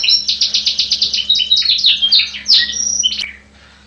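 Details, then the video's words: Champion canary singing rapid repeated chirps that run into varied trills and bright whistled slides, then ending abruptly with a quiet fade. A faint low hum sits in the background. "Kenari Juara"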